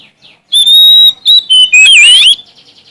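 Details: A Sumatran Oriental magpie-robin sings to challenge rivals. A long, piercing whistle is followed by a few stepped, falling notes and a dense, warbling, buzzy twist, ending in soft chatter.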